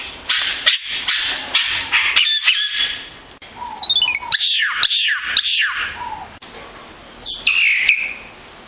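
A yellow-rumped cacique sings a varied run of harsh, buzzy squawks mixed with liquid gurgles and a short falling whistled series, in bursts with brief pauses.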